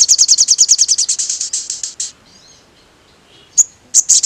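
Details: Sogon used as a lure to provoke other sogons, including the metallic spotted sogon, into agitation; rapid high chirped notes repeated in a fast trill for two seconds, a pause, then more sharp bursts.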